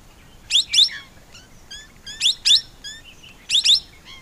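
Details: A Plum-headed parakeet gives sharp, high, squeaky double notes about once a second, with softer chirps between them.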